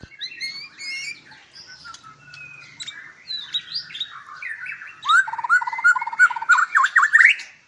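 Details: Captive white-rumped shama at a breeding farm in Palembang, Indonesia: varied whistled phrases with slurred and rising notes, then a loud run of quick repeated, clipped notes near the end, with faint low rumbling underneath.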